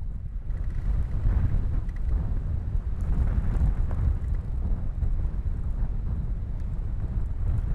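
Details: Heavy wind buffeting the microphone produces a deep, fluctuating roar with no clear animal calls.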